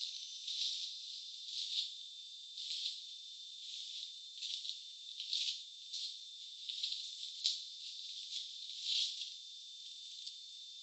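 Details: Swiftlet nest-house sound: bursts of bright, high chirping and twittering repeated roughly every second, over a steady thin high tone, with no low sounds at all.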